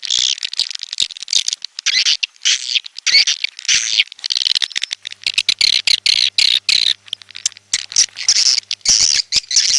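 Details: Edible-nest swiftlet, red-nest type: a long stretch of high, hissy twittering chatter broken into rapid pulses. The pulses grow choppier in the second half with crisp clicking notes.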